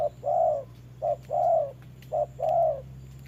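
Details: Spotted dove, a decoy bird in a trap, calling against a wild dove in the rain: three low hooted phrases, each a short coo followed by a longer drawn coo, repeated about once a second, with a faint steady hum beneath.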